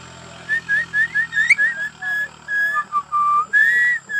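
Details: Myna kept by a family member and said to be able to talk, giving a run of clear whistled notes, about nine short level whistles in quick succession, then longer held whistles, some slightly lower, ending on a long slightly rising note.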